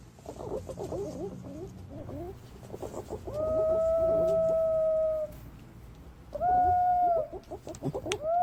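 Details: Green pigeon lure sound from Thailand: a busy patter of short chattering notes from several birds, then two pure whistles stand out, a long level one and a shorter arched one, with another starting at the close.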